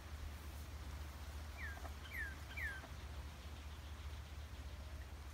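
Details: Northern Cardinal singing at Easter 2020, giving three quick, clear downslurred whistles over about a second against a steady low rumble of distant traffic or engine hum.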